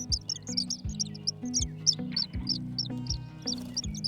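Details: Tree swallow nestlings about six days old in a nest box, just starting to make their first sounds, give thin, high peeps in quick, uneven bursts over gentle background music with low repeating notes.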